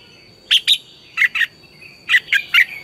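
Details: Red-whiskered bulbul morning song for bird training, used as lure sound: crisp whistled notes in pairs and a triplet, each rising and dropping, spaced about half a second apart, over a faint continuous high tone.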